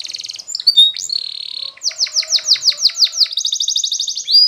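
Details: Training song of a Spanish Timbrado canary: a high buzzy trill, short whistles, a steady held note, then a run of rapid falling sweeps and a fast bright trill at the end.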